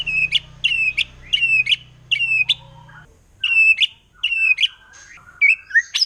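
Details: Song of a wild forest white-rumped shama in 'nembak' mode, said to make other shamas agitated: loud phrases of a whistled note snapping into a sharp upward flick, repeated with short pauses and ending in a rising whistle.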